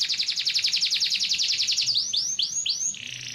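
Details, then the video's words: Yellow canary song opening with a rapid, even trill of short notes, followed by a series of arched whistled swoops and a closing buzzy hum. "cannary bird yellow"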